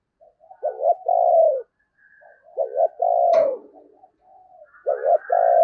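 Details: Decoy spotted dove giving the 'thúc gù' cooing style used to stir up wild doves in the Tết season: low, hollow coos, each a short wavering double note and then a longer falling note, repeated about three times, with faint higher whistles between.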